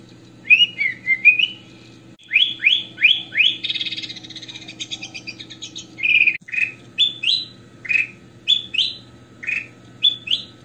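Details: Goldfinch (kutilang emas) in full, lively song, a recording used for training other birds: rapid series of rising whistled notes, a buzzy rattling trill near the middle, then more clear upslurred whistles, over a constant low hum.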